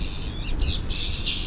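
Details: Rose-ringed parakeets in town in Ludwigshafen and Mannheim, Germany, in early February: a series of four shrill, screechy calls at steady intervals over loud low rumbling traffic noise.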